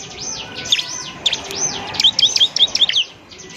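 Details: Bar-winged prinia (ciblek) in semi-gacor singing, used as master material for training other birds: high, thin chirps sweeping up and down, sparse at first, then a quick run of bright, sharp notes toward the end.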